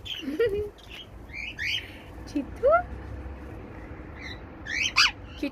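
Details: Female cockatiel, a pet, calling: short whistled chirps and slurred notes scattered through the recording, including a clear rising whistle near the middle and a sharp bright burst of notes toward the end, over faint room noise.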